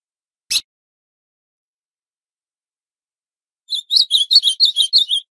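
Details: Northeastern ultramarine grosbeak: a lone sharp click, then a long quiet pause, followed by a rapid phrase of about ten sweet, high warbled notes.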